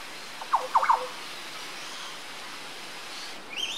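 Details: Yellow honeyeater at Port Douglas, Queensland, Australia, on 20 October 2013, giving a quick burst of three or four loud, mid-pitched whistled notes, then a brief higher note near the end, over a quiet outdoor background.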